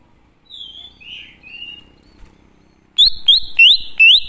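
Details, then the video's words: Greater green leafbird song in wild forest style, used as a lure to make wild birds answer: a few soft slurred whistles, then a quick series of loud, sharp, upward-sweeping whistled notes about three per second. "Pancingan Burung Cucak Ijo Ngalas Di Jamin Langsung Nyaut"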